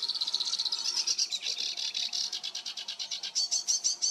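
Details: Sedge warbler song recorded on 28 June 2022: a fast, steady chatter of high dry notes, about eight per second, pulsing evenly and rising slightly in loudness toward the end.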